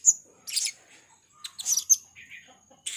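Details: Blue-crowned hanging parrot, a chatty bird used as a lure sound, giving very high, thin, sharp tseet notes and short chirpy bursts, spaced irregularly over three seconds with quiet gaps between.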